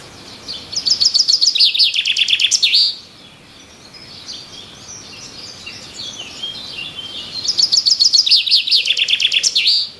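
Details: Two bouts of fast, high chirping from birds in the trees, each about two seconds long and ending in a down-swooping note, separated by a stretch of faint, distant twittering.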